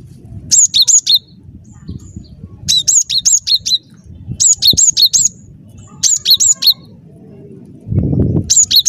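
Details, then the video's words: Cinereous tit in energetic song for use as a trapping lure: four evenly spaced bursts of rapid, high, two-note whistles, each run a second long, with a brief low thump near the end. "Suara Burung Glatik Batu Gacor"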